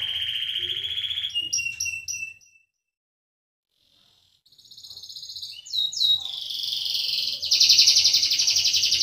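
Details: Singing canary, meant to prompt silent canaries to sing. Trilled phrases break off into two seconds of silence, then resume with rattling series and a bright buzzy trill.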